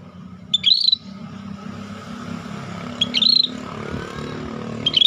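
Short, bright warbled phrases from a scaly-breasted bulbul, repeated about every two seconds, over a steady low rumble of traffic.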